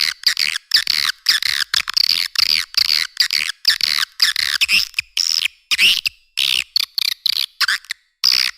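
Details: Edible-nest swiftlet lure call for drawing swiftlets to caves and farm buildings: repeated short bursts of high, wavering chirps with looping pitch sweeps, separated by brief silences about every half second.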